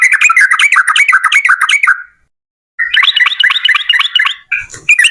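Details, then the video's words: Fast chattering song of a yellow-vented bulbul in 'ropel panjang' style, used to prompt other bulbuls to sing: two long runs of rapid bubbling notes separated by a silent gap, with a brief low thump near the end. "TRUCUKAN GACOR Ropel Panjang"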